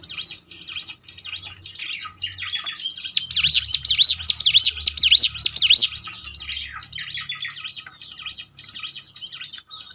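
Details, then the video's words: Bar-winged Prinia (ciblek gunung) lure recording for training birds to sing: a busy jumble of faint high chirps rises to a loud, regular run of swooping notes mid-way, then softens again. "ciblek gunung mana yang gak tergoda ikut berbunyi"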